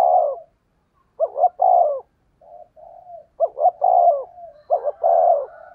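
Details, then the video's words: Fast 'thúc gù' decoy call of a spotted dove in the 'giọng thổ đồng' style. Mellow low phrases of quick doubled notes and a sustained coo, with soft murmuring notes linking them. "tiếng cu gáy mồi chuẩn, cu gáy thúc gù giọng thổ tốc độ"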